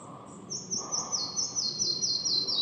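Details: Red-breasted flycatcher singing: a few high thin notes, then a run of quick repeated whistled notes stepping down in pitch in short groups, growing louder toward the end, over faint low background hum.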